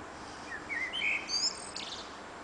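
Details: Blackbird in evening song on an antenna, June summer evening: a short mellow fluted phrase rising and wavering, closed by a thin, high, squeaky twitter, with faint hiss behind.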